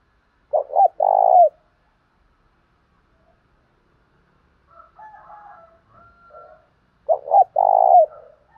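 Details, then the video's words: 'Thổ pha' style cooing of a spotted dove used to stir up rival doves: two loud phrases of short notes and a long burry coo, about six seconds apart, with softer distant cooing in between. "cu gáy thúc đấu giọng thổ pha, cu gay kich boi nhanh noi"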